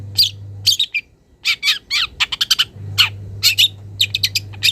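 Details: Wild young long-tailed shrike calling to a rival with emerging mimicked notes: rapid scratchy chirps and short raspy bursts in quick strings, accompanied by a steady low electrical hum for much of the time.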